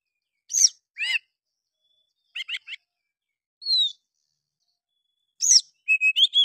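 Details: Oriental magpie-robin (Copsychus saularis) agitated fighting song provoking other birds to fan their tails, with harsh chattering bursts, a falling clear whistle, then high sustained whistles; includes mimicry of a bulbul.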